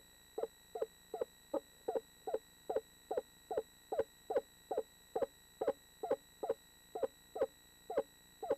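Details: A pair of Eastern screech owls preparing for the spring nesting season of 2013: a steady series of short, mellow hoots, about two and a half per second, evenly spaced and level in pitch, with a quiet background.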